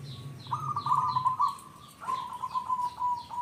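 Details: Local zebra dove singing to lure and provoke other zebra doves into calling: a long run of fast warbling, stuttered coos that ends in a level sustained tone, over a low hum and scattered soft higher chirps.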